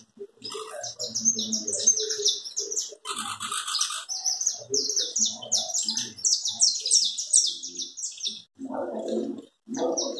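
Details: Canário da terra, the saffron finch, delivering a long chapinha carritilha song: a rapid, sustained rattle of short, high, downward-slurred notes running for about eight seconds, with low human speech murmuring beneath and resuming at the end.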